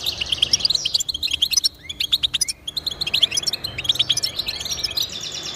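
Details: European goldfinch song of rapid, bright chirps and swooping notes, briefly dropping away around the middle before resuming in a tumbling twitter, with faint hiss behind.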